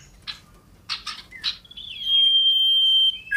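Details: Scarlet-headed flowerpecker singing loudly while hopping around: a few scratchy chips, then a long, steady, piercing whistle held on one high pitch for about a second.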